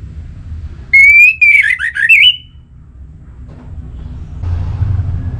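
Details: A short Orange-headed thrush phrase used to stimulate other thrushes into song. A steady whistle is followed by quick twittering descending notes. Low background noise continues after the phrase.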